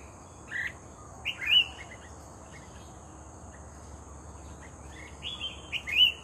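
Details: Active red-whiskered bulbul lured with a decoy, uttering a few separate slurred whistles, a quiet pause, then more rising and falling whistled notes, over an unbroken high insect tone.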